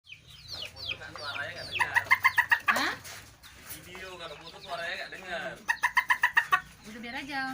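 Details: Hen calling while laying an egg in Desa Firdaus, Sei Rampah, Serdang Bedagai, North Sumatra, Indonesia, nicknamed the 'dragon-voiced chicken' by neighbours: two bursts of rapid, evenly spaced harsh clucks with strained, wavering notes in between, and people talking.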